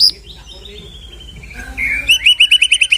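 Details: Shama song for rousing a discouraged white-rumped shama: soft drawn-out whistled notes, then a crisp burst of seven or eight identical sharp notes in quick succession.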